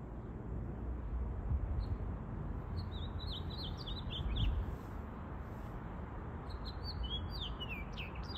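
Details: A pink male house finch in Vancouver, BC sings its mating song, two bursts of rapid, jumbled, high warbling, each about two seconds, over a steady low rumble of background noise.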